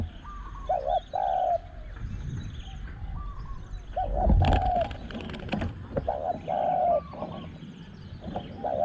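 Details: Spotted doves coo at a luring spot using a caged decoy, spot 14; several loud two-part coo phrases, quieter higher coos from another bird, and a burst of rustling or flapping noise midway.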